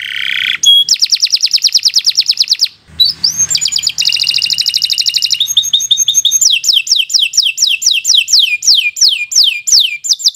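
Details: Singing canary, recorded as a 'gacor' master song for teaching young birds: a rapid rattling trill, a short pause, another fast trill, then evenly repeated downslurred whistles.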